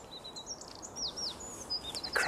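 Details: A male Eurasian wren in the dawn chorus, waggling his wings at a nearby rival, sings an explosively loud, fast, high run of thin whistled notes and sweeping trills ending in a sharp burst.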